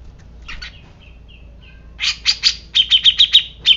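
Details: Grey-cheeked bulbul: a few soft scattered notes, then a loud run of bright, clipped chirps repeated about every quarter second toward the end, with faint low hum behind.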